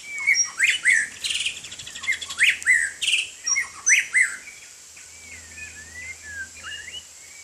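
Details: A white-rumped shama bathing in the rain pours out rapid whistles mixed with buzzy, rasping bursts. Then it shifts to softer, separated gliding whistles toward the end, over a steady hiss.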